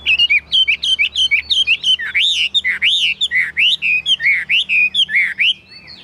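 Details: Chinese hwamei, caged and tame, of the 'ngũ trường' build, singing loud 'cao cầu' song: steady rhythmic whistled notes, each a sweeping arch, delivered about one and a half per second with little pause.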